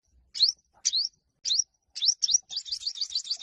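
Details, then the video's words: Yellow-bellied olive-backed sunbird in heated fighting song, sung to stir other birds into singing. Thin, high rising chirps come first at uneven intervals, then break into a fast run of rapid repeated notes. No other sounds. "Chim Hút mật 5 màu bụng vàng hót đấu căng lửa không tạp âm kích chim hót theo"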